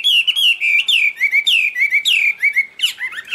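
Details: Chinese hwamei in full song: fast bright whistled phrases, each a falling slur followed by short flat notes, repeated rapidly and richly across the clip.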